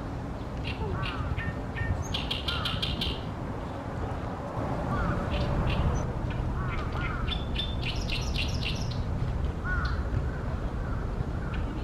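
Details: A male-territory Oriental reed warbler, newly arrived, sings loudly from a tall tree beside a reed-fringed pond in Ashiya, Japan, on 28 May 2020: harsh, croaking phrases mixed with rapid chattering notes, in bursts every second or two, over a steady low rumble.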